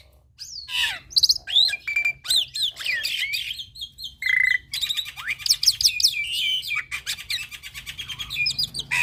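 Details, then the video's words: Actively singing young black-winged myna delivering a dense medley of high chirps, twangy whistles, a short steady buzzy note and fast rattling trills, growing busier toward the end, with a low hum underneath. "Masteran Burung Jalak Putih Full Isian - Jalak Putih Muda GAcor"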